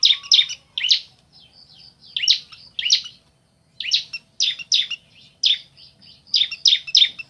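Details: Bar-winged prinia male and female exchanging calls, loud high chips in twos and threes separated by short silences, a faint level tone linking some groups.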